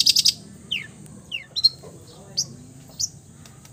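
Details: Long-tailed shrike opens with a harsh buzzy burst, then scattered downslurred whistles and short sharp chips spaced about half a second apart.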